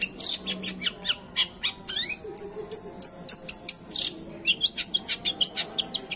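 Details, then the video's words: Long-tailed shrike song, unedited, played to provoke silent or stressed shrikes: varied quick chattering with high downslurred notes and a run of evenly repeated whistled chips. "banyak cendet emosi dengar kicauannya"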